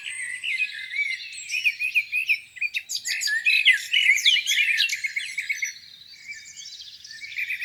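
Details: Spring morning birdsong near a lake, a crowded mix of sharp chips, warbles and quick trills from several birds, fading to softer calls at the end.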